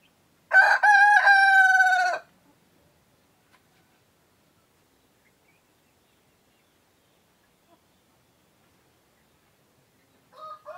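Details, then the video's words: A male laying-type rooster gives one loud crow of about one and a half seconds, a stuttered start then a sustained buzzy harmonic note, followed by a long silence and the start of a faint distant crow near the end. "SUARA KOKOK AYAM PEJANTAN // the sound of a rooster crowing"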